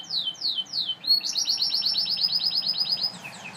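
A Gloster canary sings: three quick falling whistled sweeps, then a long, fast, rolling trill of bright high notes lasting about two seconds.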